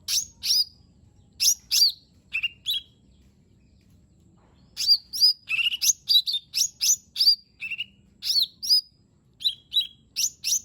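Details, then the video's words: Cucak ijo mini, or lesser green leafbird, singing a rich varied repertoire meant to prompt a silent bird: scattered sharp chirps, a quiet pause, then dense rapid whistles and twitters. "Cucak Ijo Mini 💯 Nembak Isian Bagus Buat Pancingan Jomin Malas Bunyi Agar Cepat Gacor"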